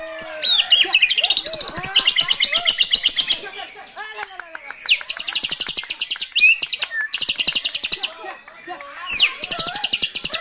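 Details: White-rumped shama singing loudly, a varied song of whistled slurs, fast repeated chattering bursts and dense high buzzy trills in several bouts, with a clicking, rattling rhythm between phrases.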